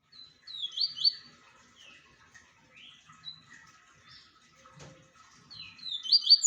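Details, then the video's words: Double-collared seedeater singing: bursts of high, rapid descending chirped notes, with quieter scattered notes between phrases and a short low thump near the end. "LINDO CANTO DO PAPA CAPIM"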